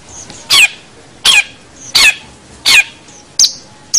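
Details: Long-tailed shrike, recorded as a training song for other cagebirds: harsh, rasping broadband notes repeated about every 0.7 seconds, six bursts with faint high thin whistles between them.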